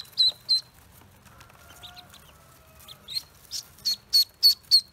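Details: Freshly hatched Pekin ducklings on a farm: two shrill peeps, then a quiet pause with faint scattered chirps, before a run of loud, evenly spaced high peeps at the end.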